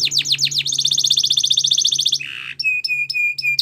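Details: Canary singing a training song: rapid falling chips open into a long even bead-like trill, a short harsh buzz, then slow level whistled notes, with a faint low hum underneath.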